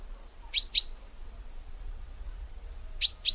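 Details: Sharp, high double chirps from a common chaffinch, one quick pair near the start and another about two and a half seconds later, clean and bright above a quiet low hum.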